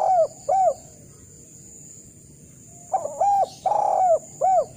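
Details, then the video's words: Eurasian collared dove, a training recording to stir lazy doves into calling: two short coos, a pause, then a fuller run of short, long and short hollow cooing notes. A faint steady high hum sits behind. "Derkuku bahan belajar bunyi kuk 1 cocok untuk melatih derkuku malas bunyi agar rajin bunyi"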